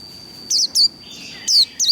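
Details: White-eye from a singing-training recording: four short, high, downward-slurred chirps over a faint steady high tone.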